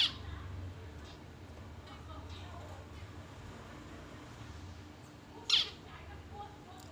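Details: Young zebra finch, about 20-odd days old, on its first day out of the nest and still fed by its parents; mostly quiet with faint chirps, then one loud, harsh, buzzy call near the end.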